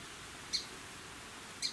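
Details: A perturbed Song Sparrow at a beaver pond in a nature sanctuary gives two short, sharp, high, dry alarm chips about a second apart over faint hiss. It is probably alerting other animals to a person's presence.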